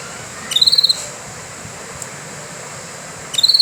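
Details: Canary: two short, high, bright trills, each a quick run of about six notes lasting under half a second, separated by nearly three seconds of steady hiss.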